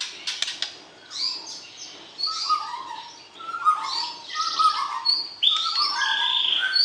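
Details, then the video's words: A white-rumped shama's breeding-season mating song, used to bring a mate into condition: rapid clicks open, then a stream of varied descending whistles and warbled phrases roughly once a second, ending in a sustained, buzzy high note. "PERJODOHAN Murai Batu, PANCING Birahi Lawan Jenis"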